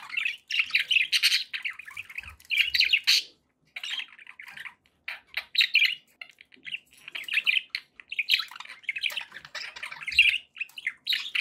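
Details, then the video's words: Happy pet budgerigars chirping: dense, scratchy warbles and chirps in bursts of about a second, separated by brief pauses, with buzzy chatter and occasional sharp squeaks throughout. "happy budgie sounds"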